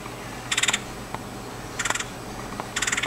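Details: A Red-headed Woodpecker in Virginia gives short, harsh rattling calls, each a quick burst of about six clicky pulses, repeated roughly every second over quiet background hiss.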